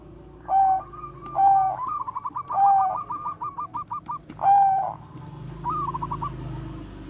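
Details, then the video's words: Bangkok zebra dove singing bekur koar-koar as a training lure for other doves, alternating purring coos with rapid trills of short rolling notes; quieter noise in the background near the end. "perkutut BANGKOK BEKUR KOAR-KOAR bagus untuk PANCINGAN PERKUTUT"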